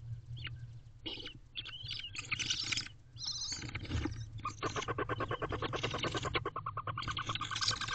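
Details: An eight-week-old owlet, already flying, in a nest box on a late-May morning. Rapid, rough, harmonic calls repeat in quick, uneven bursts and grow steadier and denser in the second half, over a constant low hum.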